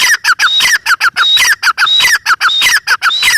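A grey francolin calls loudly in a fast, harsh series of squawking notes, about one and a half per second, with shrill whistled tones woven through.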